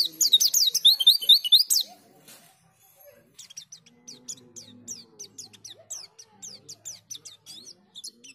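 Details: Oriental white-eye lure call said to draw a response from any white-eye: a burst of loud, very high, rapid twittering, then softer thin notes repeated about twice a second over a faint low background murmur.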